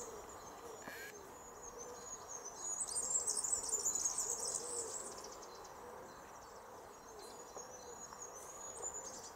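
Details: Common wood pigeon (Columba palumbus) giving soft, low hooting coos in a steady repeated phrase, with thin high chirps of small birds behind, at Žale cemetery, Ljubljana, Slovenia, 23 April 2023.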